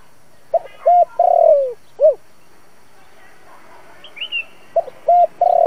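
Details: Decoy spotted dove calling to lure wild doves to a trap, thổ-style voice: short coos, a long drawn falling note and an arched hoot, then a quiet gap with thin high chirps before the next phrase begins.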